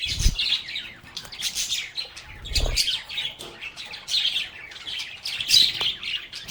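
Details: Lovebirds chattering in a lively group, with overlapping high chirps and squeaky notes over occasional deep bumps and rustling sounds.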